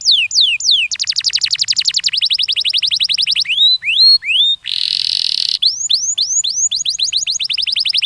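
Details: Canary song played to stimulate young canaries to sing: fast rising whistled sweeps in tight trills, high buzzy rolls, a dense harsh burst midway, then more repeated upslurred whistles.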